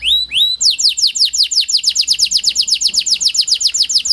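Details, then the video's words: Canary (Kenari Panda) singing as a lure to prompt quiet canaries to sing: two rising whistles, then a long fast series of descending sweeping notes, about four to five per second. "Pancingan Kenari Panda AMPUH, Membuat Kenari Malas BUNYI Jadi Bunyi"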